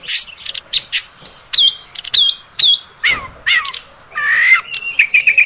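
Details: Female oriental magpie-robin sound played to make males agitated: loud harsh bursts alternating with clear downslurred whistles, a few descending slurs, then a wavering whistled phrase and short repeated notes at the end.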